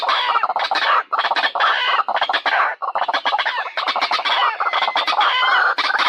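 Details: Male, female and young white-breasted waterhens calling together in a raucous, unbroken tangle of harsh, grating croaks and chattering notes, loud throughout.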